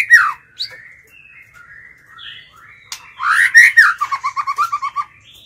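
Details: Decoy White-rumped shama luring wild birds. Soft scattered twitters and faint whistles open, then a loud rising whistled phrase runs into a rapid stuttering series of about nine repeated notes.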